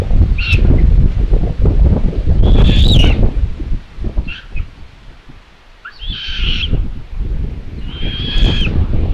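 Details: Common buzzards at their nest in Tiszalök, Hungary, 27 May 2022, as the mother delivers prey: a few sharp high squeals, then longer wavering mews a couple of seconds apart, with buffeting wind and rustling at the nest.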